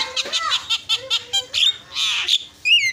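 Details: Javan myna song used to provoke rival mynas into answering: a fast, varied string of loud, harsh chattering notes, clicks and high whistles, with a rising and falling slurred whistle at the end.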